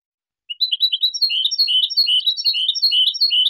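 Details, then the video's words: Clean Spanish goldfinch song used to educate juveniles: after a short silence, a lively jumble of varied twittering and warbled notes flows continuously at mixed pitches. "شريط لغة حسون إسباني"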